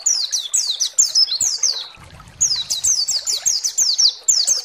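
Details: White-eye (pleci) song played to provoke other pleci: bursts of sharp descending high notes in quick series, a short quiet gap with low background rumble, then the rapid downslurred phrases return.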